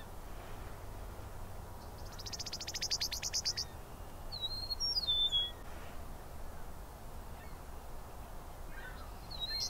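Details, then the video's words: Eastern meadowlark in Southern Ontario, Canada: a rapid buzzy rattle of evenly spaced notes, then a clear slurred whistled phrase stepping downward, with another whistle starting at the end over low rural background rumble. "Eastern Meadowlark Calls/singing"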